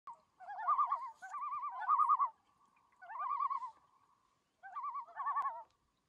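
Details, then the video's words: Common loons give quavering, laughing tremolo calls in three wavering bursts, each about a second long, mid-high pitch, in otherwise quiet Canadian wilderness at Algonquin Park. "Loon Calls"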